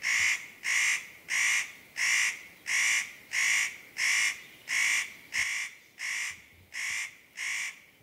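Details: A spotted nutcracker (Nucifraga caryocatactes), a screeching bird of the Eurasian taiga, gives about a dozen harsh, rasping, crow-like notes, each under half a second, at a steady pace, fading slightly toward the end.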